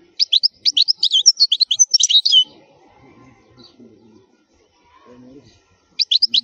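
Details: Wild khalwi song of a European goldfinch, meant for teaching young goldfinches: a dense run of high, sharp twittered notes lasting over two seconds, a pause with soft low sounds, then the song resumes.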